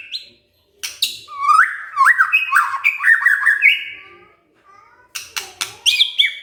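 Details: White-rumped shama, stirred up and answering back in under three minutes: loud, varied whistled phrases sliding up and down, rich warbles, then sharp clicking notes and high bright whistles after a brief pause.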